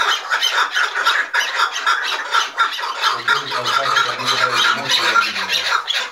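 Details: Chukar partridges, five at once, agitated and fighting: a steady stream of raspy, overlapping cackling notes in quick bursts, joined midway by a low humming human voice beneath the birds.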